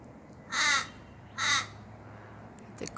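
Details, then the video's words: A crow or raven visiting a garden, looking at the observer and preening, gives two harsh, drawn-out caws about a second apart, each lasting roughly a third of a second, over quiet background. "A Beautiful Raven / Crow Bird visits my garden with a Hauntingly Beautiful song"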